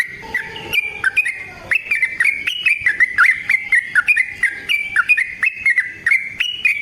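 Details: Fighting-style rapid song of a sooty-headed bulbul, used to make other bulbuls respond and as a training model: dense, continuous rolling whistles with clicky attacks, wavering up and down for the whole stretch.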